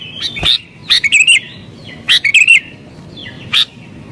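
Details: Sooty-headed bulbul calling in an agitated mood to lure wild birds; a few spaced, short, liquid gurgling phrases separated by brief pauses over quiet background.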